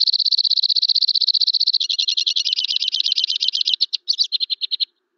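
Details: White-winged crossbill (Loxia leucoptera) song, more powerful and far-carrying than Red Crossbill's: a fast, even, high trill of about four notes a second, then a run of buzzier, varied trills breaking into stuttering phrases.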